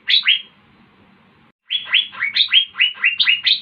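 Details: Asian fairy-bluebird in lively gacor song: two sharp upslurred notes, a pause, then a quick run of about ten bright rising chips that step between higher and lower pitches.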